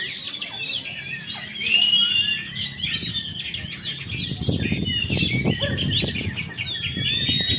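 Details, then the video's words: Black drongo, a caged contest bird from Jakarta that has just finished moulting, singing a varied run of whistled and slurred notes, rising and falling phrases, over steady low rumbling background noise. "Kacer Gatotkaca milik.Mr.ofta jakarta selesai mabung."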